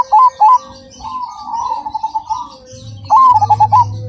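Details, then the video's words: Two loud clipped notes from a Cemani zebra dove, then a long, softer warbling coo, followed by a crisp run of rapid stuttering notes; faint steady hum underneath. "Perkutut Cemani Gacor Suara Berirama Besar Lantang dan Jernih"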